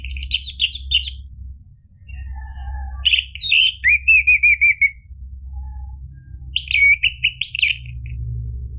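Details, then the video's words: Song of an orange-headed thrush, used to get a caged bird singing: bursts of buzzy high notes separated by pauses, including a fluttering whistled trill, with constant low background hum. "PANCINGAN ANIS MERAH biar bunyi NYAUT JADI GACOR NGEPLONG ampuh buat terapi macet bunyi"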